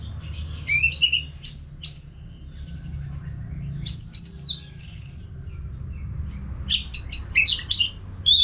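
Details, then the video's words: Orange-headed thrush (punglor merah), North Bali, singing as a training sound for caged birds. Bright whistled notes and chirps arrive in scattered clusters with quiet stretches and a steady low background rumble. "ANIS MERAH GACOR TIADA HENTI TANPA NGETEM BAGUS BUAT TERAPI BURUNG AGAR IKUT NGEPLONG NYAUT"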